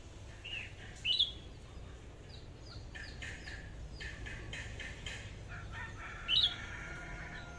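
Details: Red-whiskered bulbul kept as a decoy bird, one of two, singing in its 'AK' voice style: two short, loud, sharply bent whistled notes about five seconds apart over steady chirping of other birds and low hum.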